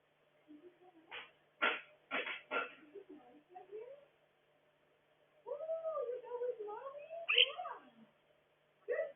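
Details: A pet Monk (Quaker) parakeet chimes in while someone talks, chattering and squawking with sharp clicks and wavering, speech-like warbles in a small room.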